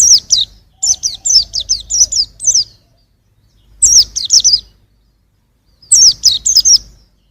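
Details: Young white-eye singing in 2021: bursts of high, thin, downslurred chirps, four to eight notes each, separated by short pauses, with a faint low hum beneath.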